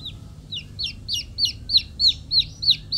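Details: Young chickens give rapid, shrill peeps that fall in pitch, repeated about three times a second and growing louder toward the end, over a faint low hum.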